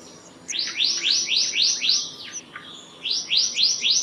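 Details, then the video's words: Black-naped monarch singing: a run of five ringing, down-slurred high notes in quick succession, a short pause, then four more of the same, clear and evenly spaced against a quiet background. "Black-naped Monarch Song! Black-naped Monarch Call! Black-naped Monarch Sound"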